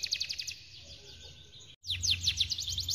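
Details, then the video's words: Canary giving a long-roll song, played to train canaries: soft rapid high trilled notes, a short break, then a louder run of sharp repeated chips over a low hum. "Melatih Burung Kenari Agar Rajin Bunyi Dengan Kenai Gacor Panjang Roll Tembak Power"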